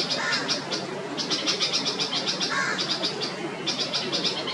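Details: Alarm from a panicky Red-vented Bulbul mother while her nervous fledgling ventures out of the nest; fast runs of sharp, scratchy high notes in clustered bursts, broken by brief pauses.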